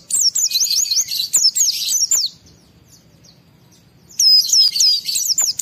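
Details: Excited white-eye song used to trigger other white-eyes into singing: dense, shrill runs of fast high whistled notes, about two seconds of near silence, then another lively burst.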